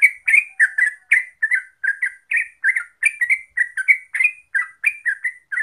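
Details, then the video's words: Bubbly, rippling chirps from a Yellow-vented Bulbul (terucuk), used as a lure to make birds sing rapidly: evenly spaced short notes, about three per second, without a break. "Pancingan Trucuk Biar Gacor Ropel"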